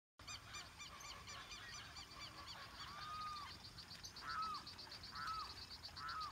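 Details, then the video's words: A flock of shorebirds keeps up a busy chorus of rapid, nasal notes, with several louder, slightly honking calls about once a second near the end. "Ave limícola"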